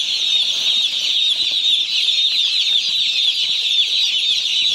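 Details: Dense chorus of one-day-old chicks on a poultry farm: countless high, shrill peeps overlapping into a steady, continuous chirping with no pauses, a few faint low rustles beneath.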